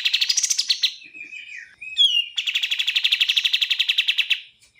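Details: Bar-winged prinia singing, clear recording with pauses used for bird training: a few buzzy opening notes and a short slurred whistle, then a long, very fast, even trill of sharp repeated chips.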